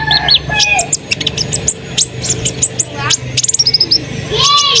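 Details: Song of an Asian pied starling used as a lure to get other birds singing: varied squeaky whistles, quick ticking trills and a final descending slurred note, with a low droning hum underneath.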